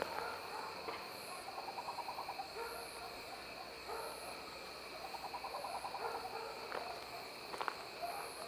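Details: Tropical screech owl (Megascops choliba) in Indaiatuba, São Paulo, Brazil, giving short, low purring trills of quick pulsed notes ending in a stronger accent, twice, over steady insect buzzing and high chirps.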